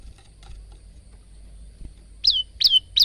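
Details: Male bar-winged prinia, phone recording for training cage birds: after quiet background, three loud, sharp descending chirps close the recording in quick succession.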